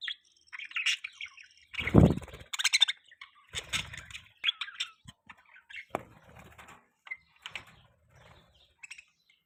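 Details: Budgerigar chirping in short, scratchy, warbling bursts, irregular and overlapping, some louder and harsher, with low thumping and rustling noises mixed in between the calls.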